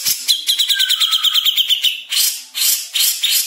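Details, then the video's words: Jenggot bird singing at speed: a rapid, dense run of sharp high notes repeated many times a second for about two seconds, followed by several loud broadband rasping bursts. "Jenggot Speed Rapet.."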